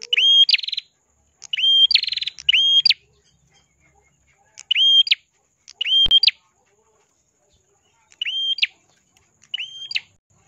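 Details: Ashy tailorbird, red-headed, singing in a clear crystal voice: irregular clusters of level whistles ending in abrupt upward flicks, some buzzy, with one sharp click near the middle.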